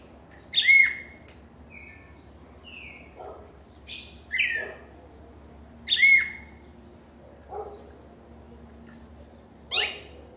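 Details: Cardinal singing: loud, harsh phrases that open with a high burst and slur down into a buzzy note, given every couple of seconds with soft lower notes between. Steady low hum in the background.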